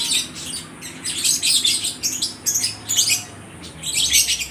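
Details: Market lovebirds in Aceh Tamiang, Indonesia, trading calls nonstop: rapid bursts of shrill, high squeaky chirps in clusters about every half second to second, with faint low background noise.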